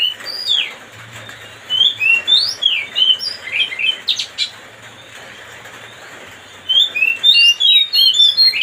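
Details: Oriental magpie-robin (kacer) song aimed at angering another bird: bursts of sharp, rising chirps and whistled twitters in quick runs, a quiet pause midway, then another energetic burst.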